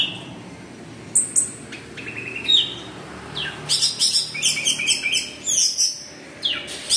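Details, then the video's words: Orange-headed thrush pouring out 'teler' style song to draw other anis merah into singing; a few isolated high notes, then a run of rapid chirps and buzzy high trills with brief gaps. "PANCINGAN ANIS MERAH GACOR TELER"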